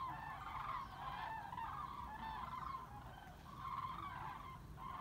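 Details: A crane flock passing over the Weser in Bremen, Germany, 30 October 2016, while migrating and reshuffling its formations; a dense, unbroken chorus of rolling, bugling calls from many birds, with a faint low hum beneath.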